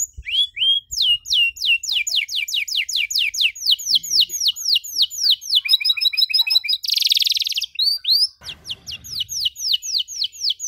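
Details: Long, richly varied canary song used to train young canaries: a long run of rapid descending whistled notes, a stuttering doubled passage, a brief harsh burst, then more quick falling notes.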